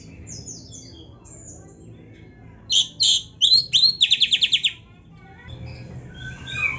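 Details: Oriental magpie-robin (kacer) masteran recording with rich isian, used for song training and fighting spirit: faint high twitters, then loud whistled notes and a quick run of about seven rapid repeated chips before the song trails off.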